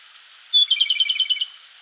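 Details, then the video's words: Male-style territorial song is not stated. A Japanese robin sings energetically at dawn in a Koshin mountain forest, Japan, May; a clear high whistle leads into a quick two-pitched warbling trill of about ten notes, fading out. "コマドリ 鳴き声"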